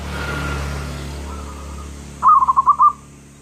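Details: Local zebra dove, singing persistently with a big voice: after a low steady hum of background noise, one short bubbling cooing phrase of about five quick rolling notes, mid-pitched and slightly rising and falling.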